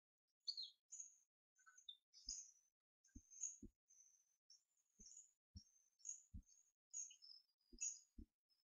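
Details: Two captive hawfinch chicks, twelve days old, being hand-fed on 4 May 2014 after a foster hen abandoned them. High, thin, squeaky calls come in short bursts about every half second, mixed with dull low knocks from handling and feeding.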